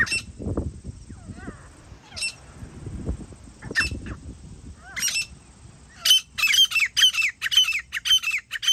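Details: Grey francolin recorded on a hunting trip: a few scattered sharp notes over low rustling noise, then from the sixth second a rapid, loud series of harsh repeated calls.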